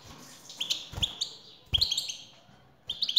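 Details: Male European goldfinch singing in reply to a female call: three quick bursts of high, liquid twittering notes with bright upward chirps, accompanied by dull low thumps.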